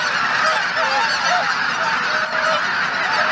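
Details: Morning at Izunuma marsh, where geese gathered at Shishihana under heavy cloud. Many birds honk at once in a constant din, with short upturned and longer level honks poking out of the chorus.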